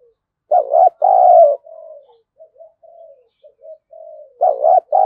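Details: Lure spotted dove meant to goad wild doves into fighting, giving a loud double coo, then a run of soft, short low coos, and loud coos returning at the end.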